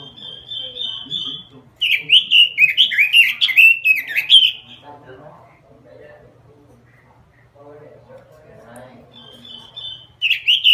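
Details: Robin singing gacor style: a steady high whistle, then an excited rush of warbled, slurred notes for about three seconds, a quiet stretch with faint low chatter, then the high whistle and song resume.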